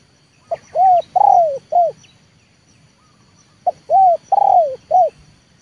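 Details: Spotted dove kept as a trained luring bird, calling to draw wild doves down into the yard. It gives two identical mellow cooing phrases about three seconds apart, each of four coos with a longer, drawn-out middle note. The background is otherwise quiet.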